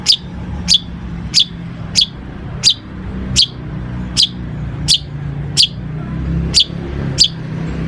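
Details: Long-tailed shrike in full song, played as a lure to get other shrikes singing: short, sharp chirps repeated steadily about every 0.7 seconds, over a constant low engine-like rumble.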